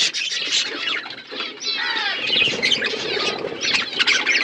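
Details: Feeding flock of budgerigars with winter food, continuous blended warbling and scratchy chatter, some wing fluttering mixed in.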